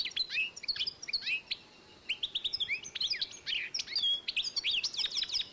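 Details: European goldfinch and canary hybrid recorded in 2012, singing a rapid, high twittering song of sharp chirps and quick upward and downward slurred notes, with a short pause midway.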